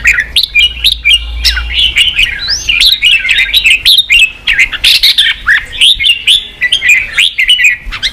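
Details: Red-whiskered bulbul song for stimulating wild-caught birds to fight and open their voice: busy, bright warbled phrases with quick upslurred and downslurred whistles, nearly continuous, a low hum early on.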